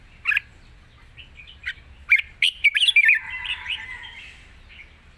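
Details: Red-whiskered bulbul, a cage bird, in long wild-style song with chattering: a few sharp chirps, then a rapid loud bubbling run that flows into a wavering sustained warble.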